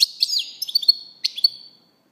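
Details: A short burst of European goldfinch song, sweet chirps and a sliding twitter followed by a clear sustained whistle-like note, ending abruptly in silence.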